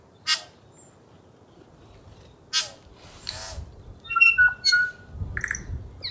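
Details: A bellbird up in a tree near a tent after a night of high winds and rain gives a short run of clear, ringing, bell-like notes, some held briefly, after a few sharp broadband knocks and rustling noise.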